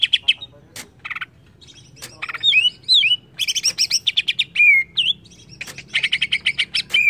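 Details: Greater green leafbird, excited by a lure, delivering a varied medley: scattered clicks, rapid chatter, looping whistled slurs and long fast trills of high notes.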